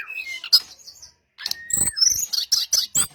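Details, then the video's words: Brown-chested jungle flycatcher song used as a lure to draw replies from others of its kind: high, thin whistles and rapid clipped chirps, then after a brief silence a burst of sharp, bright notes. "SRDC Sikatan Rimba Dada Coklat - Pancingan untuk SRDC lain pasti nyaut"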